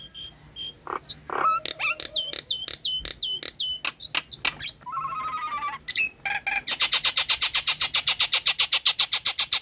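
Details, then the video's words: Nias hill myna, a female in breeding condition calling the male: clicks and bent whistles, a buzzy wavering trill, then a long, steady burst of fast repeated ticking notes to the end. "Jalak Nias Gacor Full Isian - Ngekek Mewah"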